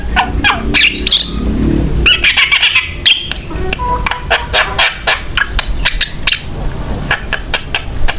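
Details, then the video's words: Javan myna singing vigorously, used as a lure to prompt other mynas to sing: harsh, rapid chattering of clicks and rasping notes with brief tonal squeaks, over a low rumbling background. "JALAK KEBO GACOR BUAT PANCINGAN DAN MASTERAN JALAK LAIN SUPAYA IKUT BUNYI"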